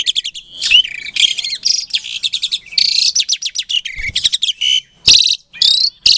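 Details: Captive-bred Asian pied starling from Klaten, Indonesia, singing a provoking song meant to make quiet starlings respond: continuous loud, rasping chatter with interspersed whistled rising notes and harsh bursts, almost unbroken over six seconds.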